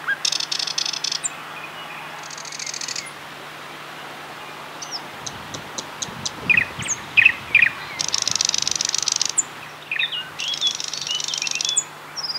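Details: A thrush nightingale sings loud, dry rattling phrases broken by sharp clicks and short piping whistles, with brief pauses between bursts, recorded in May 2007 at Getterön nature reserve, Varberg, Halland, Sweden.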